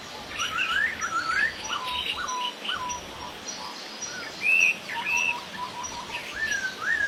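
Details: Masked laughingthrush in the wild: rising, slurred whistled notes and short chattering phrases, several birds overlapping, with higher chirps from other birds and a steady outdoor background hiss.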